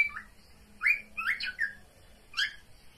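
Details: Pet cockatiel mating call: a few scattered sliding chirps and a short warbled phrase over a faint low hum, with quiet gaps between notes.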